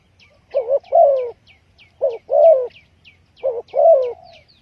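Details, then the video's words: Spotted dove used for lure trapping gives three evenly spaced coo phrases, each a quick two-humped note followed by a longer falling croo. Crisp high downslurred chirps from a small bird repeat steadily behind it. "Chim cu gáy chiêu kích mồi tập bổi nhanh nổi hiệu quả"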